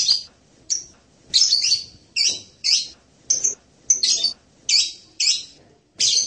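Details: Blue-crowned hanging parrot calling with high, shrill, slightly buzzy chirps and short twitters repeated irregularly about every half second to second.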